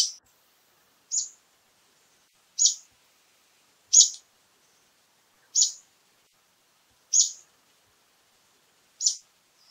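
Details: Brown-eared bulbul calling repeatedly: short, sharp, high-pitched notes given singly about every one to one and a half seconds, seven calls in all, against a quiet background.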